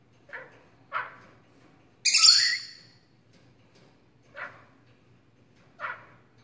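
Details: Male pet starling giving dog-like barks: two quick hoarse barks, then a loud harsh hissing screech, followed by two more barks well spaced apart, over a quiet low background hum.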